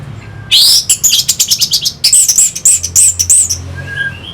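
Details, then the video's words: Orange-headed thrush song to excite fighter birds: after silence, a loud, fast series of high ringing notes repeated about five times a second for three seconds, then a faint whistle; low hum in the background. "Pancingan SUara ANIS MERAH Pembangkit Figther Burung"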